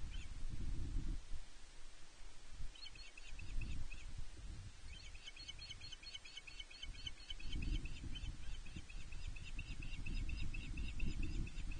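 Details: On 31 May 2023, a female osprey at Loch Arkaig Nest One begs her mate for fish. Long runs of rapid, high, piping chirps come about four per second and grow more insistent, with heavy wind buffeting underneath.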